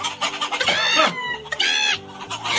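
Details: Chickens respond to a man yelling at them: two loud, harsh bursts of squawking and clucking about a second apart, over a low steady hum. The birds then come running from all sides.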